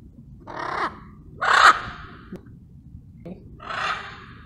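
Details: Wild blue-and-yellow macaws arriving as a flock and relaxing and bonding together: three harsh, raspy squawks, each about half a second long, spaced about a second and a half apart.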